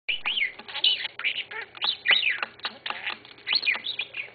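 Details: A male pet budgerigar named Sunny chatters in fast, squeaky, warbling bursts with brief pauses, speaking phrases like "Sunny's a pretty bird", "I love you, honey", "Hi Sweetie" and "Good Morning Sunny".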